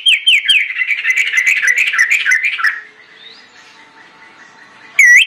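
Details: A lure recording of an orange-headed thrush, sung full and insistently to make other birds join in. It gives a long, rich run of varied, rapid whistled and warbled notes for nearly three seconds, then one bright slurred note at the end.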